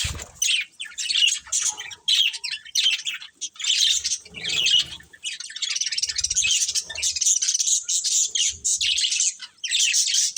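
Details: Chattering budgerigars kept as pets, an ongoing flow of scratchy warbles, chirps and squawky notes, growing into dense continuous twittering in the second half.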